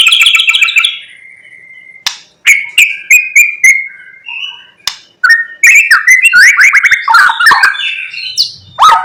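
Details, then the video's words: Morning song of a white-rumped shama meant to rouse other shamas to sing: a rich medley of whistles, quick trills, harsh chattering bursts and sharp clicks, phrases separated by short pauses. "Pancingan MURAI BATU GACOR PAGI HARI supaya murai jadi EMOSI BUNYI Full isian"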